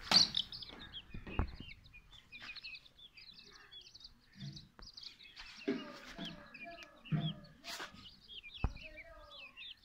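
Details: Many Silkie and Golden Sebright chicks peep together throughout: dense, high, slurred cheeps, rising and falling, overlapping one another, with occasional soft low thumps and murmurs beneath.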